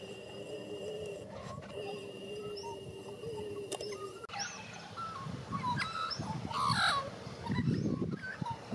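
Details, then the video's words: Young white-backed Australian magpie learning its warble song in Australia: a steady low hum for the first four seconds, then a varied run of clear whistled and fluting notes, some rising and some falling, with breezy background noise. "White Backed Magpie / Warble Song"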